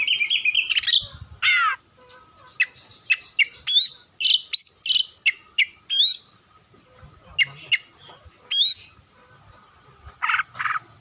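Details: Oriental magpie-robin, kacer, singing long for masteran to stir quiet birds: a varied opening phrase, then a steady series of short, sharp high notes spaced about half a second apart, with pauses.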